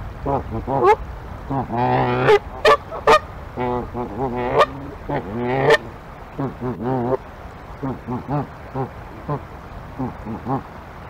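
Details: Two Canada geese (Branta canadensis) nest-testing in an eagle's nest on the morning of March 9, 2022, honking loudly with rapid, nasal, overlapping calls, some in quick stuttering runs, throughout.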